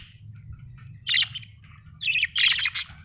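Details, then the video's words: Budgerigar, described as an Australian bird, chirping: two bursts of harsh, scratchy chatter about a second apart, with a quiet pause before them and a low steady hum underneath. "budgie chirping sound"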